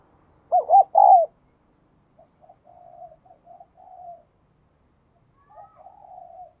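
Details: Mellow spotted dove call: a pair of short undulating coos run into a longer falling note. Softer low coos trail on afterwards.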